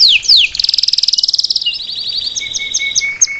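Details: Salsa canary teaching a chick to sing, live: two swooping notes, a rapid buzzy trill, then spaced high chips over a thin low whistle.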